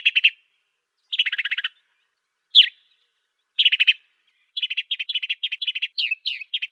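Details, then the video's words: African sparrow, master recording for training songbirds: short bright chirp bursts and buzzy pulsed rattles separated by pauses, ending in a quick run of evenly spaced chirps. Nothing else is heard. "MASTERAN BURUNG GEREJA AFRIKA"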